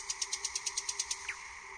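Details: Common nightingale (Luscinia megarhynchos) singing at night in a forest: a fast run of about ten high, sharp repeated notes, roughly nine a second, ending in a lower slurred note over a steady background hiss.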